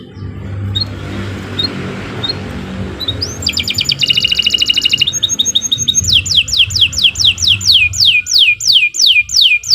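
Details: Canary song for training birds: after a few seconds of soft background noise and faint chips, a buzzy roll begins, followed by a clear series of regularly repeated downslurred whistles.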